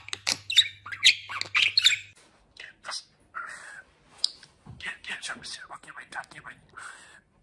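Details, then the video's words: Talking budgerigar kept as a pet, recently moulted, babbling in speech-like bursts: a loud cluster of scratchy syllables at first, then quieter muttered chirps and warbles continuing in an uneven rhythm. "Konuşan muhabbet kuşu"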